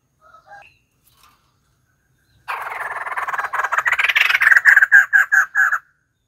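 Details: A few faint notes, then white-crested laughingthrush breaks into a loud rolling cackle that speeds up and settles into rhythmic, separate laughing notes before stopping abruptly.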